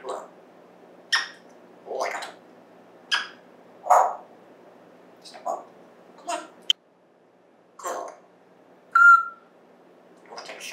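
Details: A pet African grey parrot, raised like a human, talks in short, speech-like bursts about once a second, saying words like "plastic", "bird" and "letter", then gives a clear whistled note, in a quiet room, September 14, 2024.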